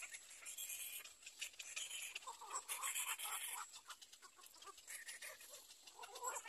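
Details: Little egret chick in its nest, nest 3: dense rapid clicking chatter with harsh, scratchy squawks in bursts, loudest around the middle, about four pulses a second.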